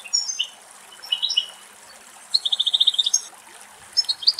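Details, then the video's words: Female European goldfinch in a shady Greek woodland, bathing in spring water; quick liquid twitters followed by a rapid rattling trill and more high tinkling notes, with soft trickling water behind. "Καρδερίνα η Γαρδέλι Κελάηδημα - Καρδερίνα η Γαρδέλι Κάνει Μπάνιο - European goldfinch song"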